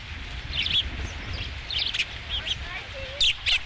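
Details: Osprey at the nest on 5 July 2016, first fish: scattered high, sharp whistled chirps in small clusters, ending with two louder squeaky notes, against a low rumbling background.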